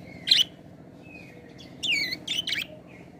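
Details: Budgerigar giving a few brief bright chirps and a buzzy descending warble, with thin faint whistles in between, over a low steady hum.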